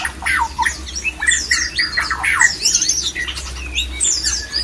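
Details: White-rumped shama mating sound aimed at rousing other shamas into breeding mood: bursts of slurred whistles and buzzy falling notes with short gaps, high thin chatter above, and a steady low hum underneath.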